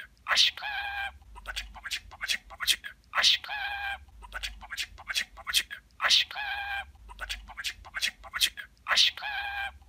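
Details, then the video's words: Pet talking budgerigar producing a short, high, buzzy speech-like phrase with chattering harmonics, repeated almost identically about every three seconds, with quieter scratchy warbling between phrases and a low hum beneath. "Konuşan Muhabbet Kuşu"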